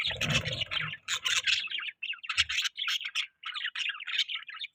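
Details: Pet budgerigars chirping: dense, bright warbling chatter of quick high notes in short bursts about every half second, with a low rustling thump near the start.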